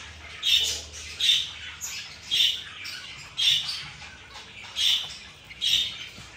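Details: Morning calls of a zebra finch: seven separate nasal beeps spaced about a second apart over a quiet background.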